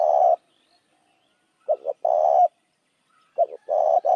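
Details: Spotted dove cooing as a lure for other doves: a long coo closes one phrase, then two more phrases follow, each two quick low notes and a sustained hollow coo, about two seconds apart.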